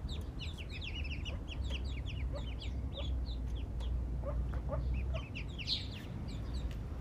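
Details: Eastern spot-billed duck mother with ducklings that wandered into a place with no ponds, rivers or waterside nearby; rapid, thin, high peeps repeat throughout over a steady low hum.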